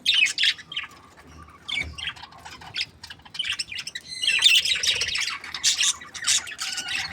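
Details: Happy budgerigar pair kept for breeding: scattered squeaky chirps and short twitters at first, then a busier burst of fast, overlapping warbling chatter in the second half.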